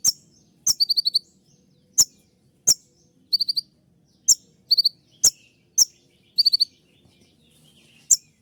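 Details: Purple-throated sunbird (kolibri ninja) in the shrill "tembakan" style: loud single clicks spaced about a second apart, several followed by quick three- or four-note high tinkling bursts, with near silence between them.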